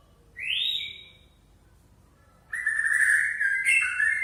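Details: White-rumped shama of the Aceh type, relaxed, unloading its repertoire of learned phrases: a bright rising whistle, a pause of over a second, then loud, sustained, slightly wavering whistled notes with rich overtones.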